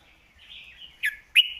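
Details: Red-whiskered bulbul master song for tutoring birds, a clear, sharp performance: a soft warbled phrase near the start, then two loud, bright whistled notes late in the clip.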